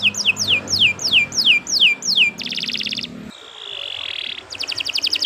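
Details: A canary sings a long song meant for song training: clear descending whistled sweeps about three per second, then a buzzy rattle, a soft level whistle, and another fast rattling trill.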